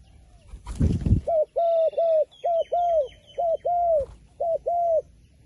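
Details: A wary wild pigeon, shy of the phone camera, gives about nine short, hollow, mid-pitched hoo notes, loosely paired, after a brief rushing burst like flapping or handling.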